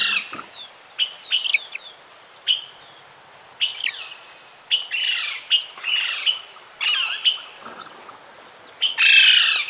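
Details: Glowing Puffleg, an Andean cloud-forest hummingbird, giving sharp, very high chips and short buzzy twittering bursts, repeated irregularly about once a second; nothing else is audible.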